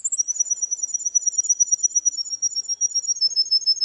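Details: Champion Russian canary singing at the Russian championship: a continuous rapid trill of high bubbling pulses on two close pitch lines, steady throughout with a clean quiet background.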